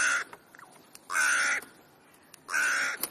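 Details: Crows gathering on an ordinary afternoon in Leipzig's Clara Zetkin Park give three harsh, rasping caws in quick succession, roughly one every 1.3 seconds, with a soft murmur between them.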